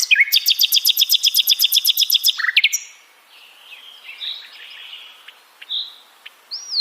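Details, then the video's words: Sikatan londo flycatcher delivering a rapid, very regular chattering trill of about twenty high stacked pulses over two and a half seconds, followed by softer scattered notes and a final rising whistle. "beragam jenia dan kicauan sikatan londo"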